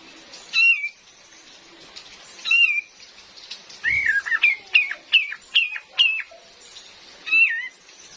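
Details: Female cream-vented bulbul call, a lure for forest trapping, recorded with real rain: two separate wavering whistles, then a quick run of six or seven sharp downslurred whistled notes, one more whistle at the end, over constant rain hiss.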